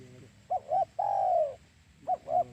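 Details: Lure call of a spotted dove for trapping: two short wavering coos followed by a long, slightly falling coo, then another pair of short coos, low and mellow over faint background hum.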